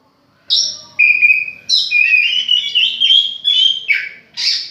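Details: Home-kept oriental magpie-robin giving a clear sustained whistle, then a steady mid-pitched note and a long rich warbling phrase that ends in a harsh burst.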